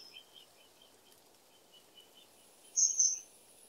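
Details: Two short, sharp, very high whistles from a common kingfisher close together near the end, after a quiet stretch with soft, lower ticking chirps in the background.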